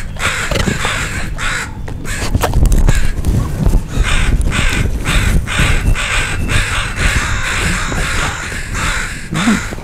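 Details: Crows mobbing a dog near young crows learning to fly. Harsh caws run together through heavy low rumble and wind-like noise.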